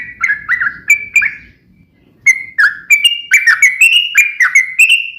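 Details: Sharp fighting song of a yellow-vented bulbul, rapid-fire style used to provoke other bulbuls into singing. Several liquid, dipping chirps are followed by a pause of nearly a second, then a brisk run of bright, rising and falling notes.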